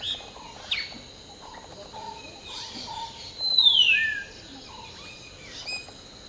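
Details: Common hill myna singing while preening during the dawn morning chorus: a loud, clear whistle slides down steeply, then a short lower note follows. Softer chirps from other birds and a steady insect hum continue behind it.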